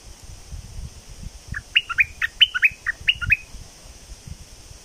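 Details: Red-whiskered bulbul, a bird said to be raising young, sings a short phrase of about ten quick whistled notes dropping and rising around the middle of the clip, with low rumbling noise underneath and a steady high hiss.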